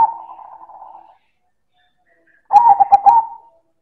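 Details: Silver zebra dove (perkutut) cooing loudly in manggung style: a long steady mellow tone fading out, a pause, then a stuttering phrase of quick clipped coos running into a held note.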